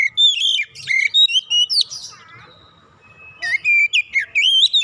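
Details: Oriental magpie-robin song played as a lure for kacer: strong whistled phrases with sliding notes, a quiet middle stretch, then a lively series of clear repeated whistles.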